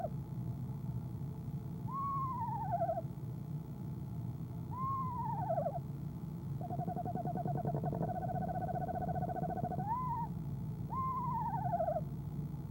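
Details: Female eastern screech owl at a nest box on an owl camera, trilling in the evening of 25 January 2015 before leaving at 6:10 pm; quavering descending whinnies repeat, with a steady even-pitched trill in the middle, over low background hum.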